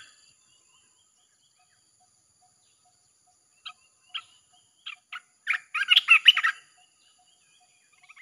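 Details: Song of a red-whiskered bulbul played to draw in wild birds: scattered single chirps, spaced apart, quicken into a brief loud flurry of tumbling warbled notes.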